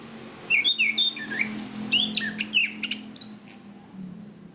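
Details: Rich, varied song of a chestnut-capped thrush (punglor kembang), recorded to train cage birds in the ngeplong style: quick sequence of sharp whistled slurs, some rising and some falling, high notes mixed in, steady low hum underneath.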